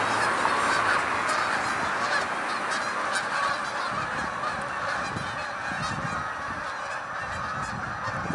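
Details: Hundreds of Canada geese taking flight fill the air with continuous overlapping honks, loudest at the start and easing slightly as the flock moves on, with low rumbling underneath.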